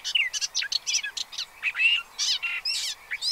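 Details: Pied avocets with chicks at Séné Nature Reserve, Gulf of Morbihan, 30 April 2023. Short bursts of sharp chirping notes, several harsher buzzy calls and a few clear fluty whistles, spaced closely.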